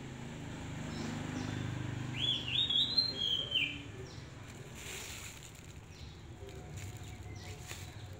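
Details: A single bright, looping whistled phrase from a hand-raised Oriental magpie-robin stands above a low background hum and faint rustling.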